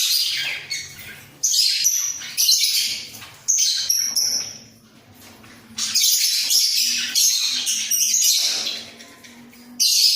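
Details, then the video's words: Budgerigar pair kept in a breeding cage, nodding while chattering: repeated bursts of raspy, buzzy warble separated by quieter gaps, with a faint low hum beneath. "Sepasang Burung Parkit Gacor"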